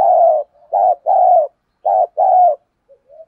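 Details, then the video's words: Decoy spotted dove cooing in the 'đồng pha thổ' voice style to provoke wild males into calling: low mellow coos paired as a short note then a longer one, repeated steadily, with faint soft murmurs at the end. "cu gáy mồi thúc gù căng lửa giọng hạp bổi"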